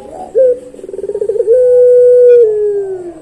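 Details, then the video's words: Pelung-style dove song, a quick rising note and trembling pulsed roll leading into one sustained low coo that tails off gradually. "Merdunya Puter Pelung Suara Panjang Ini Disukai Banyak Orang"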